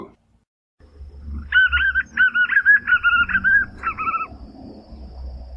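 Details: White-eared Puffbird, known locally as joão-bobo, in the Brazilian Cerrado: a rapid run of about ten short whistled notes with a buzzy edge, steady in pitch, over a low background rumble.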